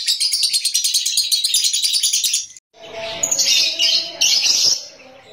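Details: Beginner lovebird on a terrace gives about two and a half seconds of rapid, piercing ngekek chatter, cut off abruptly, followed by mixed rustling background noise and a few high squeaks.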